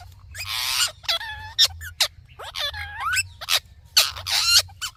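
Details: Ringneck parrot chattering in speech-like phrases: a hoarse rasp, then bending whistled syllables that rise and dip, a sharp squeak, and a final pair of raspy, breathy calls.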